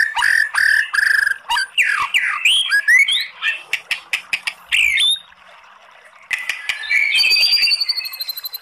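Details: White-rumped shama, kept as a songbird, singing a long, varied kretekan song with 'tembakan' shots: rapid clicking notes, sharp rising and falling whistles, and a buzzy trill at the end, used as a lure to provoke other shamas.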